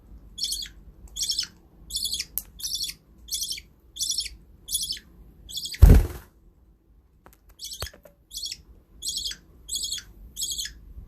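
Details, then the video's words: Pet budgerigars repeating short, gritty chirps at a steady pace; a single loud thump breaks in midway before the regular chirping resumes. "Beautiful budgies"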